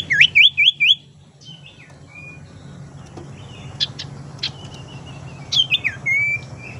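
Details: Tailorbird lure call meant for trapping and for prompting lazy birds to sing: opens with four fast, loud, looping chirps, then scattered softer sharp notes and a final wavering whistled phrase.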